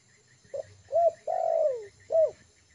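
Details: Tame lure-trained spotted dove at ease on the ground. It gives one full cooing phrase: a brief soft note, a rounded coo, then a long sliding downward coo and a final rounded coo. Faint low rumble underneath.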